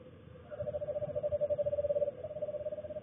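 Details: Backyard eastern screech owl courting late on an early winter evening, with its mate nearby; a loud, level, fast-pulsed trill lasts over two seconds, fading slightly at the end, with low murmuring hum underneath.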